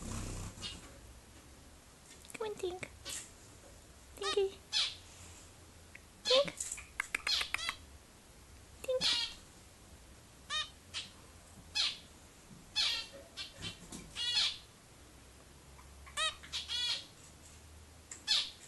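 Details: A three-week-old baby zebra finch gives short, nasal, high-pitched calls in quick bursts, with a person speaking softly.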